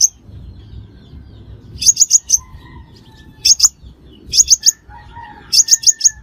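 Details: Crimson sunbird lure call used for trapping: very high, thin, sharp chips in quick bursts of two to four, repeated every second or so, over a faint low rumble.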